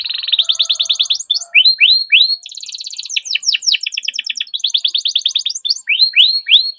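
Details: Kept canary delivering a long rolling 'ngerol' song meant to coax silent canaries into singing: dense rapid trills alternate with swooping whistled notes, about three per second, continuous and loud with no other sounds.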